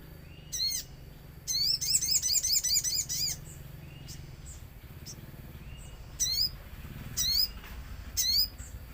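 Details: Common iora lure recording set among nature sounds, meant to prompt other ioras to sing and answer: high, sharp chirps sweeping downward, with a fast rattling run of repeated notes near the start, then isolated bursts every second or so.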